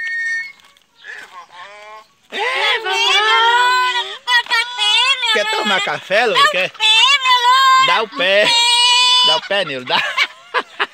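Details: Talking pet parrot that keeps asking for coffee makes rasping, bleating, speech-like phrases with wavering rising and falling tones, mixed with a person's voice in continuous chatter.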